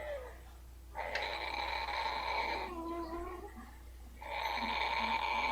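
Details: Blue-fronted amazon, a pet hen, enjoying having her backside rubbed. She gives two sustained grating purrs separated by a softer wavering murmur, in a small room with a low electrical hum.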